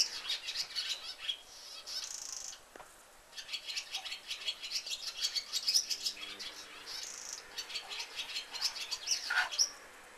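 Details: Barn swallow (Hirundo rustica) song: a fast, high twittering warble broken by dry, buzzy rattles, running almost without pause for ten seconds.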